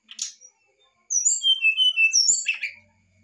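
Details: Brown-chested jungle flycatcher singing a varied fluting phrase to stimulate a reluctant bird: a short rough note, then clear high whistles gliding down in steps, closing with a harsh buzzy burst.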